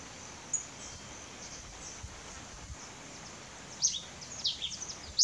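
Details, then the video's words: Pileated finch (Coryphospingus pileatus) giving thin, very high chips, one early and then a quickening run near the end, over a steady hiss of outdoor background noise. "canto, tico-tico-rei-cinza"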